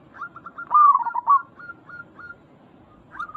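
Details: Local zebra dove giving a lure call to draw other zebra doves: a few short whistled notes, one loud rolling, warbled coo, then fading clipped notes trailing off before a brief final phrase.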